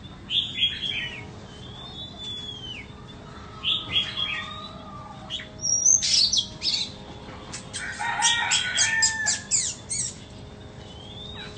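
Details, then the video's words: Caged 'than bông' Oriental magpie-robin, kept for sale, sings in spaced bursts: a few whistled slurs, a pause, then quick clicking notes and tumbling twittery phrases, with quiet gaps between the outbursts. "Chích choè than bông"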